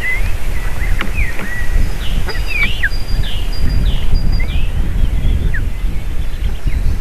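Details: Eagle at the nest with eaglets around landing and feeding time, 7 June 2023, afternoon; a series of high, thin, downslurred chittering calls with short sharp notes, plus steady higher whistled tones and constant low rumble.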